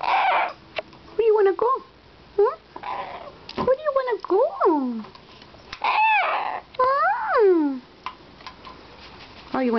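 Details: A pet bare-eyed cockatoo yells during morning play and flapping: a series of loud, rasping screeches, several sliding sharply downward, with brief chattering bursts and short pauses between calls.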